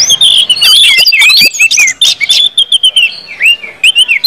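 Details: Orange-headed thrush in continuous 'ngeplong' singing, used to stir other birds into song: loud, rich warbled phrases mixing clear rising and falling whistles with scratchy chips, tumbling quickly with short gaps.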